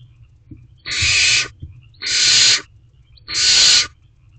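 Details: Barn owl owlet in a nest box on 12 May 2023 at 8:05 pm, looking outside while waiting for a food delivery: three harsh, hissing screeches about half a second each, spaced roughly every 1.2 seconds, over low hum.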